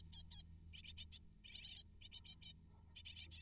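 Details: Eight great tit (Parus major) chicks begging as food arrives at the nest: rapid high, squeaky chirp volleys, one longer dense rasping burst mid-way, with a soft constant low hum beneath.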